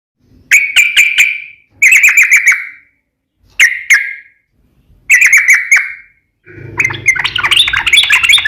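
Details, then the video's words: Sooty-headed bulbul (trucukan) singing in the lively, loud 'gacor nembak ropel ngeplong' style: short bursts of bright, bubbly notes near one pitch, separated by brief pauses, ending in a denser, harsher chirping passage with a low background hum. "KICAU SUARA trucukan gacor NEMBAK ROPEL NGEPLONG"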